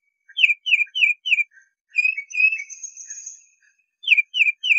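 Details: Tufted titmouse giving quick downslurred whistled notes in series, with a longer buzzy high note in the middle before the whistled phrase resumes.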